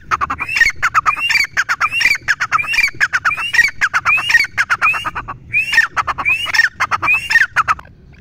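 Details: Grey francolin, locally called teetar, calling loudly: harsh, grating multi-note phrases, each ending in a squeaky rising upslur. They repeat rapidly, about one phrase per second, with a brief break near the middle.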